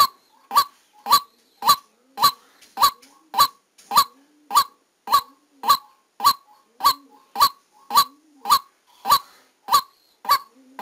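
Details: Decoy white-breasted waterhen calling during a live trapping session: a long, metronomic run of around nineteen abrupt, harsh single notes, each about half a second apart, with faint softer calls between.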